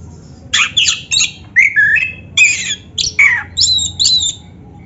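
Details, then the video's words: Black-breasted oriental magpie-robin (kacer dada hitam) in a cage, its song used as a lure for singing. Scratchy harsh bursts alternate with slurred whistles in a fast, uneven sequence. "SUARA BURUNG KACER MASTERAN ‼️ Stel Suara ini Biar GACOR | Pasti Nyaut Buka Ekor"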